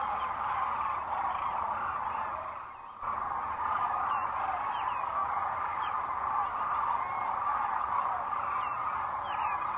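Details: Sandhill cranes gather at their night roost at Rowe Sanctuary, Gibbon, Nebraska, as the sun sets on April 4, 2013; a continuous throng of rolling calls dips briefly, then resumes, with scattered higher chirps above.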